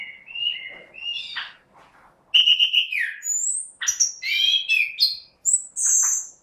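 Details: Orange-headed thrush, singing 'gacor': opening with simple paired whistles, it builds into a rich, fast medley of piercing high notes, buzzy trills and rising slurs.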